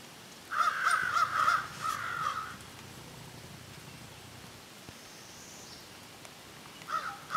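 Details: Several crows in a serious-sounding discussion: a two-second run of loud, rasping caws, a softer trailing call, quiet with a faint distant sound, then fresh caws resuming at the end.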